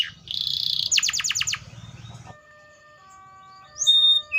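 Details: Canary singing a varied song: a buzzy high trill, then a fast run of descending sweeps repeated about six times, a pause with faint tones, and a bright high whistle at the end.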